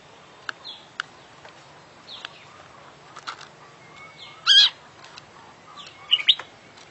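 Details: Oriental magpie-robin (kacer), described as an international champion bird, singing gacor with full isian: scattered short high chirps and thin whistles, a sharp rising whistle, and two loud rattling bursts near the end.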